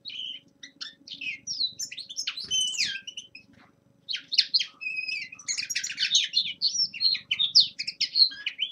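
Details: Winter warm-up singing of a young male linnet: scattered twittering notes and short slurred whistles, a brief pause, then a denser, faster stretch of chattering trills and buzzes.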